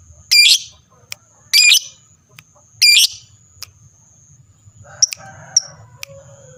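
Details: Lovebird sounds meant to prompt other lovebirds to answer: three loud, harsh, high shrieking bursts about a second apart, then softer scattered chirps and clicks, over a steady thin high tone.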